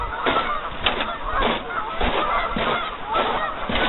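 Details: On a partly iced-over lake, a dense crowd of geese honks continuously while abrupt knocking sounds cut through the calling roughly twice a second.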